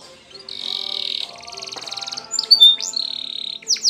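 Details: Spanish Timbrado canary song used for canary training: buzzy sustained notes, a pulsed rattle, then bright whistled slurs; somewhat faint with slight background noise.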